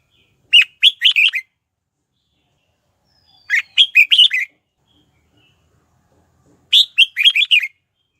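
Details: Lure red-whiskered bulbul singing to attract wild bulbuls for fighting; three short, bright phrases of four to five quick whistled notes, about three seconds apart, in otherwise quiet surroundings.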